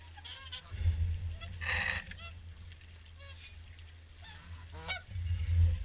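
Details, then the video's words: Evening feed of swans at Caerlaverock, many birds calling together: bright, trumpeting honks in quick bursts, with a strong burst near two seconds and scattered single notes, over deep wind buffeting. "Evening Swan Feed"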